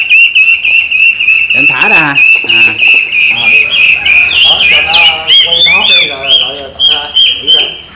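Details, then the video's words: Caged Chinese hwamei trained by its owner, pouring out a fast, loud run of whistled and trilled notes, mixed with harsh squawky bursts and brief human voices. "Họa Mi Hót"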